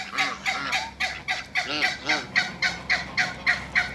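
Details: Backyard African geese, two pairs housed alongside Muscovy ducks, giving a rapid regular series of harsh honks, roughly three or four per second, rising in intensity toward the middle.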